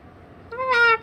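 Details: Pet cockatoo indoors on a cold day with a sleet storm outside, giving a single drawn-out tonal call with a stack of harmonics, steady then slightly falling, about half a second long.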